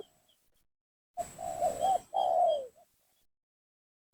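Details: Quieter spotted dove lure phrase meant to draw rival doves down: a brief note, a tremulous mid coo and a drawn-out coo sliding downward. Faint high tones in the background and a sudden loud knock at the very end.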